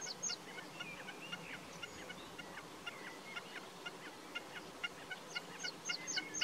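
Common snipe giving a steady run of dry, clipped mid-pitched notes, about four a second, with faint sharp high ticks over a soft background hiss.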